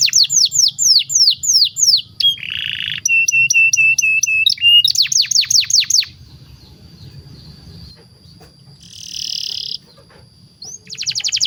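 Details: Canary master song used to teach young birds, with falling whistled notes, a harsh buzzy burst, flat repeated whistles, then quieter thin tones and a short trill after a lull.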